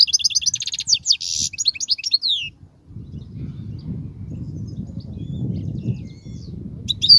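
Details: Young goldfinches are taught with this European goldfinch song: a fast chatter of high twittering notes and a buzzy trill fills the first seconds, then a quiet stretch of low hum before a last note.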